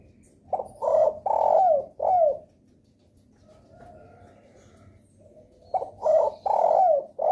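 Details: Lure call of a spotted dove used to draw responses from other doves: two phrases of four hoarse coos, each ending in a downward slurred note, split by a three-second gap of soft background noise.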